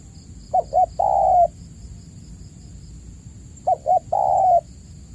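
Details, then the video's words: Spotted dove used as a lure to encourage caged doves that are not calling. Two phrases, each made of a pair of short notes and then a prolonged soft coo. A faint high steady tone is also heard. "pancingan burung tekukur gacor"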